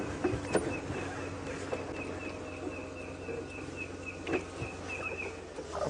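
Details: Red-crested Korhaan calling from the ground on a 3 PM safari drive, June 29, 2016, Djuma Game Reserve area; a steady series of short, high piping notes, about three a second, over low engine rumble and occasional knocks.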